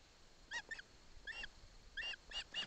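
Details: Ospreys at a Barlinek Forest nest during a fish delivery from father to chick: a few scattered pairs of ringing, harmonic whistled chirps over steady background hiss.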